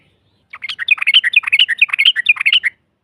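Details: Yellow-vented bulbul long ropel song used to goad a rival into answering: a two-second rapid tumbling stream of bubbly whistled notes, dense and unbroken.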